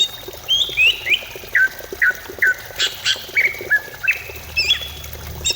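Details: Greater green leafbird singing, used to stimulate another bird to sing: a series of short, clear downslurred whistles about every half second, with a few sharp broadband notes midway, over low hum.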